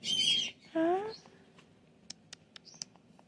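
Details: Pet cockatoo, a male with special needs, vocalizing indoors while being praised: a high, squeaky chatter followed by a short, lower, rising whistled note, then faint clicks and taps.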